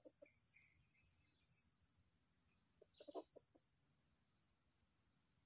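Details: Red junglefowl, an old wild-type decoy bird kept for luring and described as still hesitant; a brief low, harsh crowing burst at the start and a louder broken crow midway, over steady high-pitched insect trilling.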